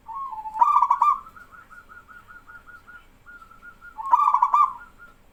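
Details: Actively singing local male zebra dove draws call-and-response from untrained doves. Two loud rattling coo bursts bracket a long run of quieter, evenly beaded trilled notes from the answering birds.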